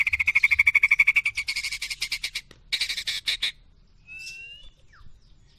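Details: White-rumped shamas, a short-tailed Medan bird against a balak 6, in a singing match: a fast, even rattle of bright notes, then buzzy chattering bursts and a thin rising whistle at the end.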